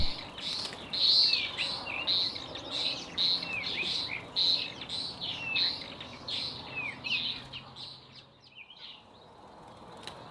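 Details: White-rumped swift giving its screaming display at the entrance of an occupied nest, warding off aggressive swifts trying to get in. Shrill, high screams come in a rapid series of short bursts, then fade, over a low background hum.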